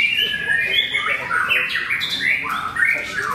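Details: Competition white-rumped shama (murai batu), a debut bird that took a podium place, pouring out slurred whistles and rapid trilled runs over a chorus of other caged songbirds.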